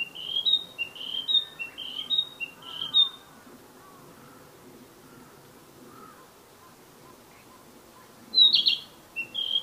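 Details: A wild Narcissus flycatcher (Ficedula narcissina) sings quick, bright whistled notes, about two a second, then a pause and a fresh burst, with soft lower calls murmuring behind.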